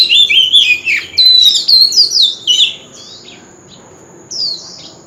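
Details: Wild-voiced Oriental magpie-robin in full lure song for contest birds: a dense chain of loud, bright whistles bending up and down, then a pause and one fainter falling note.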